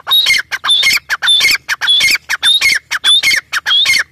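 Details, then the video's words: Continuous loud, rhythmic calling from a grey partridge (teetar): harsh, grating phrases with a bright whistled note in each, repeated in a steady pulse of roughly a hundred per minute for the whole stretch. "Teetar voice | teetar sound | gray partridge sound"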